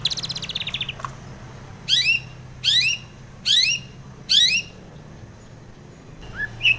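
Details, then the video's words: After a brief buzzy trill, a female long-tailed shrike, used in the morning as a lure for caged birds, repeats loud, grating, upward-sweeping squawks roughly every 0.8 seconds. "kicau pancingan cendet pagi hari agar emosi STABIL |cendet betina gacor isian"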